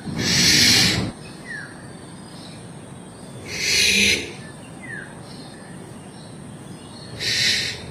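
Black-naped oriole giving three harsh, rasping, nasal screeches about every three and a half seconds, with a faint, short, falling whistle between them.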